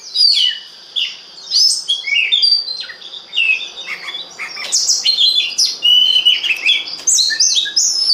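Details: Oriental magpie-robin delivering a lively lure song for stimulating others, with rich whistles, sharp chips and rapid warbled phrases in repeated bursts.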